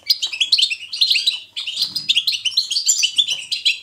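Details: 'Betbeta' song of the European goldfinch, selected to get pet goldfinches singing: two dense bursts of quick sparkling chirps and trills, with a brief pause at about one and a half seconds.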